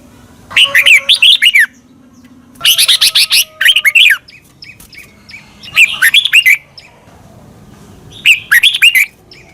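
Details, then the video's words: Red-whiskered bulbul from Thailand singing a doubled song meant for young caged birds to copy: repeated short phrases of sweet, slurred whistled notes every two seconds or so, with faint soft chips between. "นกกรงหัวจุก. นก - 30 นาทีทุกเช้า เพื่อให้นกเรียนรู้ที่จะพูดได้อย่างรวดเร็วและหนักแน่น"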